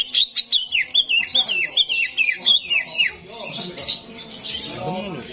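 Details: Cucak ijo, the greater green leafbird, at a bird-song competition arena: about three seconds of clear, piercing whistles, each sliding downward, repeated roughly every third of a second, before overlapping chirps from many birds and a murmuring crowd take over.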